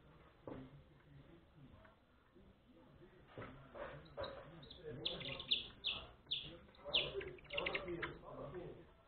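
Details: A saffron finch chick is fed, giving a run of sharp, high chirps, about two each second, in the second half, after human voices and background murmur.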